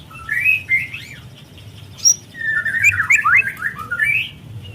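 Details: White-rumped shama juvenile in spotted plumage, a lure recording meant to spur shamas into song: a rich run of slurred, warbling whistles with a sharp high note midway, over faint low background rumble.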